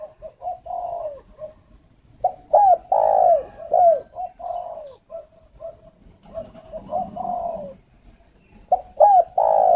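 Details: Northern Vietnamese spotted dove decoy, aviary bird from Ba Vì, Hanoi, used for luring: soft low coos building into loud hooked and drawn-out cooing phrases, repeated, with faint background rumble.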